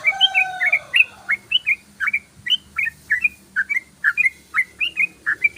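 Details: Yellow-vented bulbul singing a long, rapid ropelan: loud, ringing whistled notes in fast couplets, repeated about every third of a second, with a drawn-out lower whistled tone underneath at the very start.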